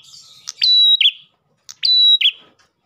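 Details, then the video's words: Ash tailorbird song used as a lure for other tailorbirds: two identical phrases, each a sharp click, a long bright steady whistle, then a short buzzy lower note, separated by about a second of silence. "PRENJAK GACOR pancingan burung prenjak lain"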